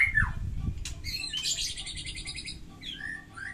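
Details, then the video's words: Fighting-mood white-rumped shama in full song, richly varied: a falling whistle, a sharp click, then a fast buzzy rattling trill held for about a second, followed by short bright whistled phrases. "murai batu tarung gacor isian mewah"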